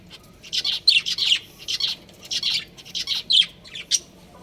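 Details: A breeding pair of budgerigars chattering steadily: scratchy, high chirps and short squawks in rapid, uneven bursts, nearly continuous with brief breaks.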